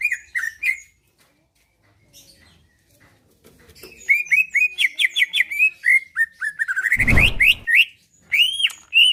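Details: Greater green leafbird (cucak ijo) singing steadily to provoke replies and fighting from other birds. Whistled phrases start, pause, then return as a fast run of rising slurs, with a brief loud thump in the middle.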